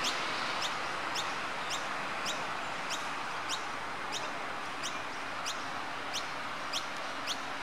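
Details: Australasian grebes at Brisbane Botanic Gardens, Mount Coot-tha, Queensland, Australia, on 30 October 2013, giving sharp, high, quickly rising notes, about two a second in a steady series, over a constant rushing background hiss.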